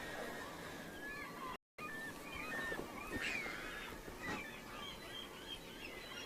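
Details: On the lower river at Katmai, Alaska, 23 September 2015, Bonaparte's gulls flying quickly overhead give a chorus of short, harsh, nasal calls, overlapping and repeated several times a second, over a steady outdoor background hiss.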